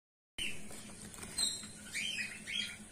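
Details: Female golden finch in a colony, giving short, thin chirps and twittering notes in quick irregular bursts, several overlapping, over a steady low electrical hum.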